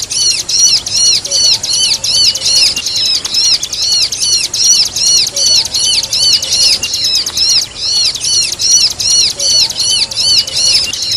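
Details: Ciblek, the bar-winged prinia, in a signature-song combination with the 'kejepit' pinched-bird sound used as songbird training material: high, arching twittering notes repeated steadily about two to three times a second in short bursts.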